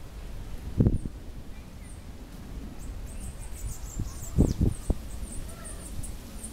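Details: Wild Bananaquit perched in a tree, its song a few high thin notes breaking into a rapid, sibilant high-pitched twittering run midway, with scattered low knocks and rustling in the background.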